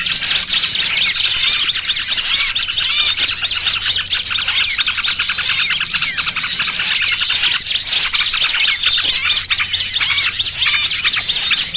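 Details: Small birds in a trapping lure, a noisy trucukan and burcil kejepit combination; many birds twitter, trill and whistle at once in a steady, loud, high-pitched chorus lasting throughout.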